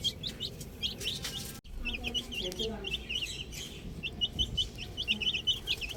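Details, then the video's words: Chicks playing with a ball chirp busily in high, quick peeps that grow denser toward the end, interrupted by a brief sharp break and some low rustling. "Cute Little Chicks Chirping Sounds"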